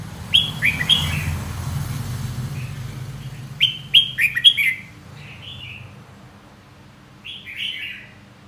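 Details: Warbling song of a red-whiskered bulbul: a pair of whistled notes, then a louder run of four rapid phrases, then softer trailing ones, over a low rumbling background noise.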